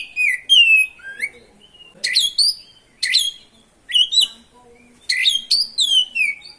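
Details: Oriental magpie-robin singing its rolling ngerol song as bait to provoke rival birds; a loud falling whistle followed by separate short phrases, each a sharp note sliding down, spaced roughly one second apart.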